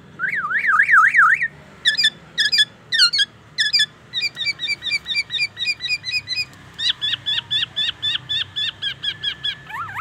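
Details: Black-naped oriole giving mimicked oriental magpie-robin song and ambulance siren: an opening zigzag siren-like warble, then loud clipped notes and a long rapid run of uniform chirps, ending with a falling whistle.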